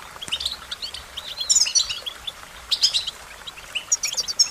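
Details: Song of an American goldfinch, a run of high twittering chirps and quick sweet notes, loudest in clusters near the middle and end, over a low hiss of outdoor background noise.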